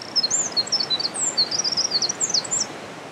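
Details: Eurasian wren in a valley on 17 March 2020, its first song of the year: a fast, high-pitched stream of chattering trills and squeaky notes running without pause for about three seconds, with a constant hissing rush underneath.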